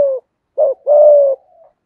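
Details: A single phrase from a spotted dove singing 'giọng hạp bổi' to stimulate other doves: a fading coo, a short bent note, then a long even coo trailing into a soft murmur.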